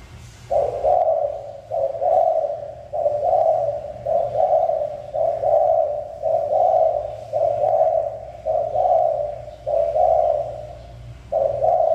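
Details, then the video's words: Spotted dove (cu gáy) from a mountain region cooing steadily: about ten mellow, slightly rough low phrases, each roughly a second long, repeated at a regular pace with brief pauses, over a quiet low background hum. "Cu Gáy Người Vùng Núi"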